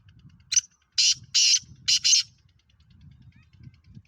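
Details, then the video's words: Black francolin, called Kala Teetar, in Pakistan: a short harsh note followed by four loud, rasping, broadband notes in about a second and a half, the last two closely paired, over low background rumble. "Kala Teetar Pakistan fastest black Franclion"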